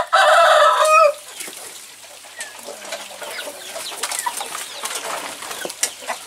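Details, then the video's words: Village chicken (ayam kampung) in Indonesia: a rooster, let out of its coop, chases and mates a hen. One loud, harsh, harmonic squawk lasts about a second, then only faint rustling and soft background noise follow. "AYAM KAMPUNG KAWIN, ROOSTER MATING HEN CHICKEN SOUND"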